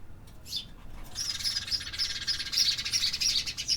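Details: Urban birds active in the city: after a single chirp, a rapid, continuous high twittering chatter of fast repeated notes fills the rest of the recording.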